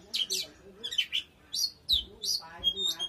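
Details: Oriental magpie-robin singing powerfully: a quick run of sharp, high whistled notes and short buzzy slurs, delivered in bursts with brief pauses between phrases.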